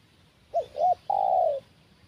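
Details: Spotted dove calling during a trapping session with a decoy bird, a big-voiced 'kuk satu' style: two short hooded coos followed by one long, level, slightly falling coo, clear over low background rumble.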